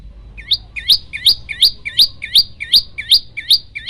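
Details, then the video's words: Olive-backed tailorbird, a caged bird in full song, giving its 'shot' sound variation: sharp, piercing high notes, each a quick downward-then-upward flick, repeated evenly about three times a second, eleven notes in a row, with low background hum. "burung prenjak lumut gacor - suara tembakan variasi"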